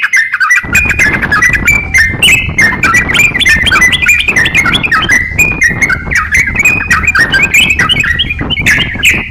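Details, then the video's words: Crocokan in persistent song for use as a songbird training master, with rapid chirps and slurred whistles throughout over a steady low background noise. "crokcokan gacor siap jadikan masteran kicauan"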